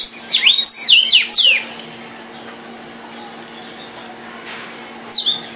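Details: Vermilion cardinal giving a short, lively phrase of steep down-slurred whistles, then a long quiet pause with only a low hum, and one more clear falling whistle at the end.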